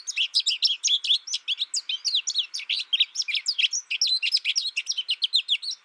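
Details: Isolation-reared American goldfinch, a first-year bird learning its song from a tutor recording, delivers a continuous rapid stream of sharp high twittering notes, about five per second, with no pause.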